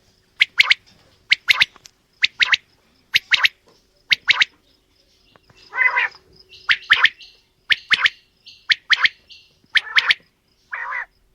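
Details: Quail of both sexes calling: clean paired sharp notes repeated about every second, interspersed with a couple of broader buzzy calls, against a quiet hum.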